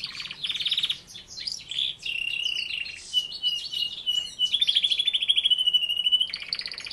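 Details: Canary song with dense, fast trills alternating with long, even whistled tones. Phrases shift quickly from rattling bursts to smooth held notes and end in a rapid pulsing trill.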